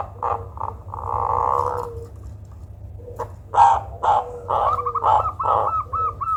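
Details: Zebra dove producing a strange call believed good for luring birds: choppy notes and a long rasping buzz, then harsh bursts running into quick arched coos, with a low hum behind.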